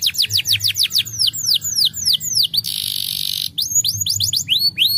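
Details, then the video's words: Singing canary, a recording meant to encourage other canaries to sing: a series of swooping, descending whistled notes, broken by a short harsh rasping burst midway, then more rising and falling whistles. "Treine seus canários com isso para ser diligente no canto"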